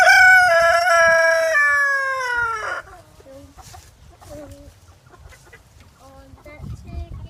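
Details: Rooster finishing a loud, rich crow that steps down in pitch over nearly three seconds and ends abruptly, followed by quiet, scattered clucking notes and faint background noise.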